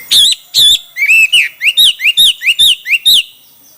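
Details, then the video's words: Chinese hwamei singing in a song contest: loud, clear whistled notes, many slurred upward then down, delivered in a quick run of about a dozen phrases, each roughly a third of a second apart. "Coob quaj sib thib(Hoạ mi hót đấu)"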